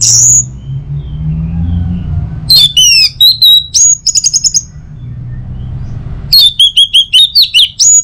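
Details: Morning song of an orange-headed thrush, meant to set other birds singing. Rich whistles and fast trilled notes arrive in busy bursts, with a later series of evenly repeated chirps.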